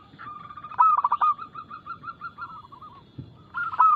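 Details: Zebra dove of local stock in vigorous fast song with loud crystal voice, used to lure other doves to sing: a loud stuttering burst trails into a long descending series of soft rhythmic coos, then another loud phrase begins.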